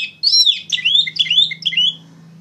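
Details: Oriental magpie-robin in full, loud song for training young songbirds: a quick run of bright whistled notes, some rising, some falling, over a steady low hum.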